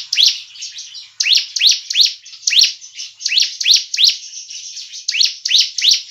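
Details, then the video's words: Bar-winged Prinia song used as a lure to trap birds and get kept birds singing: sharp, high, upward-sweeping chirps in quick uneven runs, roughly three a second, with no other sounds. "PANCINGAN CIBLEK dan suara pikat ciblek"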